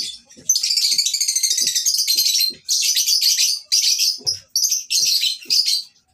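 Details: Lovebirds at a breeding farm, used as tutor audio for lovebirds that have stopped singing: dense, buzzy, high chattering in long bursts with brief gaps, and faint low knocks beneath.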